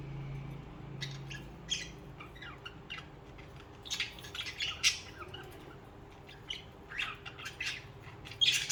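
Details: Budgerigars singing and chirping: irregular scratchy squawks and short chirps building toward the end, over a low steady hum.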